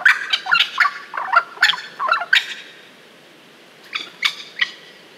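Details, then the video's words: Australian wattlebird calling with a rough, gurgling series of harsh, rasping notes for over two seconds, then a quieter pause and a few more scratchy notes. "Wattlebird Call Australia"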